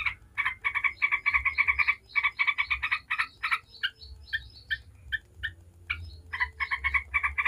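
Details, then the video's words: Yellow-vented bulbul in noisy, fast bubbling chatter: runs of harsh, buzzy notes several times a second with brief pauses over a low hum; a lure recording meant to make other bulbuls answer and start singing. "Trucuk ngebren bikin ribut"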